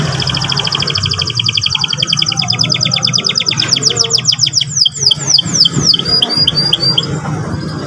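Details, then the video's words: Young canary song used to provoke a young canary to sing: fast, steady trills of high, repeated notes for about five seconds, then shifting into slower, sharply down-slurred whistled notes repeated in a quick series, with a faint low hum underneath. "pancingan emosi burung kenari paud !!macet bunyi seketika NYAUT ngeriwik NGEROL"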